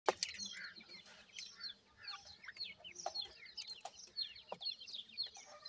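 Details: Captive dakhni teetar and desi teetar francolin chicks feeding: a dense chorus of thin, high, downward-slurred peeps overlapping continuously, with a few soft taps.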